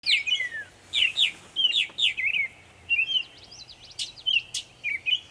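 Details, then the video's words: Northern mockingbird in Savannah, New York, on 23 May 2021, making many sounds: a varied string of bright chirps, slurred whistles and quick warbled phrases, each burst short and changing in pattern, about half a second apart. "Northern mockingbird Mimus polygottos video, making many sounds"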